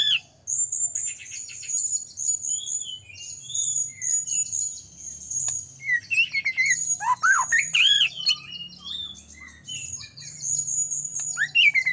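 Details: White-rumped shama in full, constant song, used as a lure to provoke other shamas to sing and become agitated; a long run of high sustained whistles and rapid varied phrases, with sweeping rising and falling notes in the middle, over a low steady hum.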